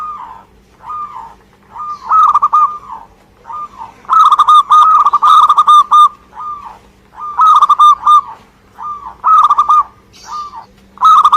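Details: Local Indonesian zebra dove (perkutut) singing vigorously: repeated mellow, rolling cooing phrases with rapid stuttering notes, each phrase lasting about a second, separated by short pauses, with a faint steady low hum beneath.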